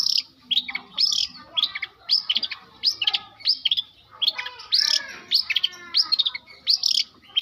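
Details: Long-tailed shrike from South Malang, trained as a mimic, sings phrases copied from lovebird and canary: bright high chirped notes and short rising-falling slurs, repeated about twice a second, with one longer buzzy trill near the middle.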